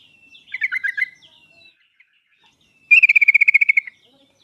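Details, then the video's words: Sooty-headed bulbul song used as a lure to provoke a reluctant bird into singing: a short warbled phrase of bubbling notes, a pause, then a fast even series of about twelve clear repeated notes. "pancingan dan masteran trucuk paling cepat di sambar trucuk malas/susah bunyi langsung nyaut"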